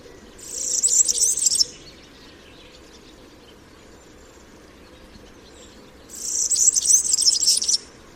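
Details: European Serin singing its typical, diagnostic song: a pair of fast, shrill, glittering twitters, each about one and a half seconds long and spaced roughly five seconds apart, very high-pitched over a soft background hiss.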